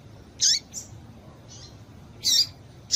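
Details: Calling female double-collared seedeater, played to rouse males before song tournaments; a few bright, high chirps with falling tails, one fainter note between them, then a final chirp cut short, over steady low hum.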